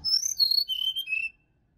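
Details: Wild sirdadu (Black-winged flycatcher-shrike) recorded in a Bali forest, used to stimulate caged birds in the morning: four clear whistled notes stepping down from high to lower pitch over about a second, then silence.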